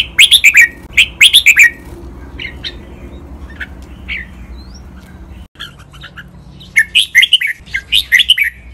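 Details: Captive red-whiskered bulbul song for training birds to copy, in the styles called bueng 23 nap dok, mae bot, lak wai and Pa La-u song: rapid bursts of bright chirping notes open and close the phrase, with sparse single notes between.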